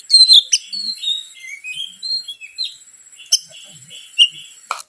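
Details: Oriental magpie-robin song played as a lure to rile other birds: descending and rising whistled slurs, short warbled notes, and a few loud snapping clicks.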